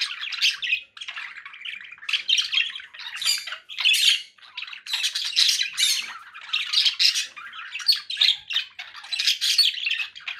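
Conures keep up a continuous run of harsh, raspy squawks and chattering screeches, high-pitched and overlapping, with barely a pause.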